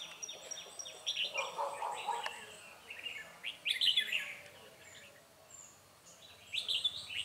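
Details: Decoy trapping of a wild, fiercely restless red-whiskered bulbul, 9 March 2020; quick chattering warbles and sharp chirps, a lower raspy patch early on, then a quieter gap before a final bright phrase.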